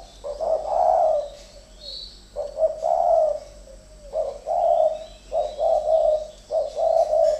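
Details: Two decoy spotted doves duelling in captivity give throaty, low coos. Each phrase opens with a short note and swells into a longer burr, recurring every second or so, with a soft high twitter between.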